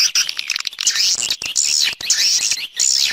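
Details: Swiftlet external sound: shrill, sliding high twitters in quick phrases, broken by short silences, with a thin whistled edge on the highest notes.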